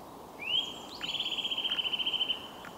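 Eurasian Treecreeper singing a very high, thin phrase: a brief rising note, then a fast, even trill of about a second and a half over soft background hiss.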